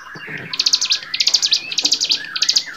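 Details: Bar-winged prinia song from a training recording for songbirds: four quick bursts of dry, buzzy pulsed notes, each under half a second, after a short whistled lead-in.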